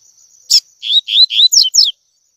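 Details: Tui tui song of a double-collared seedeater meant to train young birds: a sharp click, then three rising whistled notes and two rapid falling notes, over a steady faint high tone.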